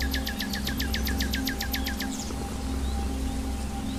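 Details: Wild common nightingale singing: a rapid run of about fifteen repeated sharp, descending whistled notes for two seconds, then a brief buzzy flourish and quiet, over steady low hum and background noise.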